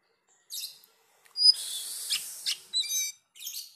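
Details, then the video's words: Oriental magpie-robin singing actively with a sharp voice: brief high harsh bursts and a thin pure whistled note, then scratchy notes and a short rapid trill, separated by silent gaps. "Kacer gacor ||suara tajam"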